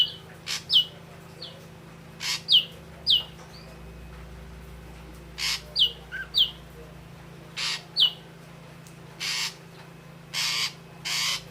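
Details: Song of the ashy drongo, red-eyed grey form: scattered sharp high whistled notes, often in pairs, mixed with several loud harsh rasps toward the end, over a low steady hum.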